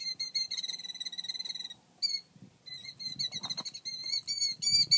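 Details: A male Killdeer defending its nest, more protective than the calm female. It gives rapid, high, sharp repeated notes in uneven bursts with short pauses between runs.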